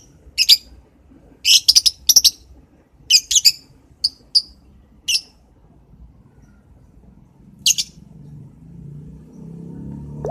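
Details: Morning lovebird chirping in short bursts of sharp, high, slightly buzzy notes, several quick doubled chirps early then sparser single ones, before fading into low rumbling background noise.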